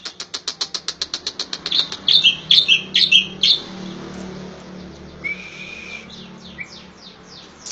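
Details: Striated grassbird of the Javan palustris race, a masteran tutor recording: rapid series of short high ticks repeated about twice a second, then whistled warbling phrases and a sustained flat whistle, with soft later notes and low background hum.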